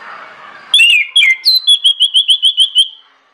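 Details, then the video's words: Orange-headed thrush delivering a strong lure song: a few sliding whistled phrases give way to about nine crisp, rhythmic repeated notes at a steady fast pace, ending abruptly, with faint low noise before it. "PANCINGAN ANIS MERAH NGEPLONG NGOTOT YANG LAIN AUTO NGIKUT"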